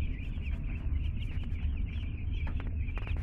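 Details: Many two-day-old chicks just arrived at a home, a dense chorus of high, thin peeps running continuously over a strong low rumble of background noise.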